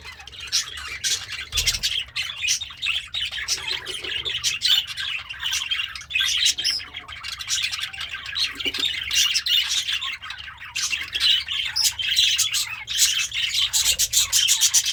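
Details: Happy budgie, a pet parakeet eating greens, keeps up a steady, lively warble of rapid chirps and scratchy chatter throughout, slightly louder toward the end.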